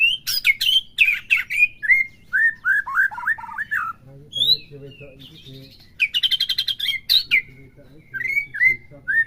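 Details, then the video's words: White-rumped shama song for provoking a captive bird: sharp high notes and falling whistled slurs, a quiet lower chatter, then a harsh rattling burst followed by clear whistles. "PERANGSANG EMOSI MURAI BATU AGAR CEPET IKUT BONGKAR,PUTAR PAGI SIANG SIRE"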